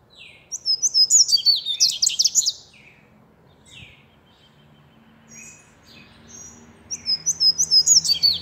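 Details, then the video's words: Seedeater singing two bouts of rapid, high, sparkling twitters, each about two seconds long, separated by a pause with a few scattered soft chips. "corbata cantando"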